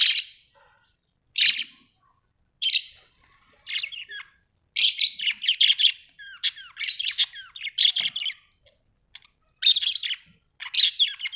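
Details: Pet budgies indoors call with repeated harsh chirps, then break into a fast run of buzzy, squeaky warbling notes with sliding whistles, returning to spaced scratchy calls.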